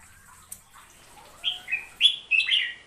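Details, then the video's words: Hook-billed bulbul of Borneo's forests sings short slurred whistled notes, rising and falling, that grow louder toward the end. "Suara Kicauan Si Merbah Jambul"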